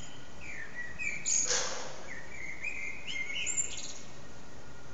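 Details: Blackbird perched on an antenna, singing with short breaks for about three hours: mellow fluted phrases, each ending in a thin high twitter, with a brief rushing noise between two phrases and a steady background hiss.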